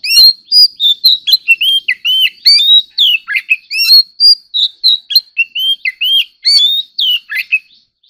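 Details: White-rumped shama in competitive singing: loud, rich whistled phrases of rising and falling slurred notes, rapid and varied, with occasional sharp clicks, continuous with only short gaps.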